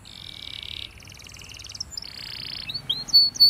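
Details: Spanish timbrado canary song used for training: a buzzy sustained roll, then a bubbling pulsed trill, another flat roll, and finally short rising whistles that end in a loud pure note.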